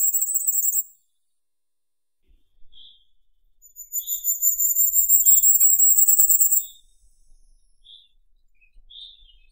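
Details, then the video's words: Firecrest song: the tail of one high, rapid phrase, then a longer three-second run of thin, accelerating high notes. Soft lower single chips are scattered between the phrases. "Как поёт Королёк красноголовый (Regulus ignicapillus)"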